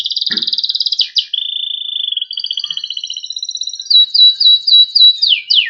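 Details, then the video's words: Panda-coloured Loper canary in full 'cengkok rapat' song: a fast rattling trill, a long level whistle, then overlapping buzzy rolls ending in loud, sharply descending slurred notes repeated several times a second. "KENARI PANDA GACOR Cengkok Rapat"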